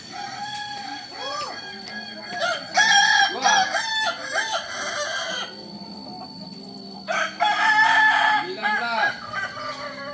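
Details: Kukuak Balenggek rooster from Solok producing a long, stepped crow broken into many short, loud, warbling syllables, pausing briefly midway before another run of choppy notes.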